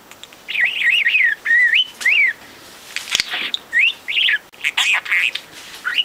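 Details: Pet budgerigar, four months old and hand-raised after leaving the nest at two weeks, talking nonstop in mimicked overheard conversation: rapid scratchy syllables with looping whistled rises and falls in quick bursts, short pauses between phrases.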